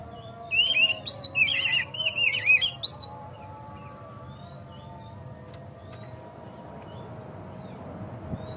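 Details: White-rumped shama (kacer) song played to provoke a kacer into singing and opening its tail: a two-second burst of rapid, sharp up-slurred whistles, then only faint distant chirps over steady low background noise.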